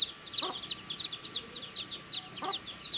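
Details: Baby chicks eating food, a busy chorus of shrill downward-slurred peeps at high pitch, nearly continuous, with only two brief lower pecking taps.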